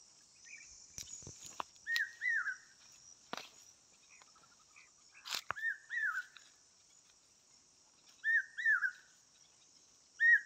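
An Asian koel repeats its rising, two-note 'ko-el' call every few seconds over a steady high insect drone, with a few sharp clicks and knocks.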